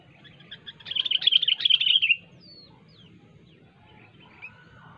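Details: Sooty-headed bulbul, called kutilang, singing sharply to lure rivals: a two-second burst of rapid wavering bubbly notes, then faint thin slurred whistles from other birds over a low background hum.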